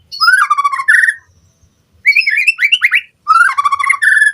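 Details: White-rumped shama lure song for training captive birds: three loud bursts of fluttering, warbled whistles sliding between mid and high pitches, separated by brief silences.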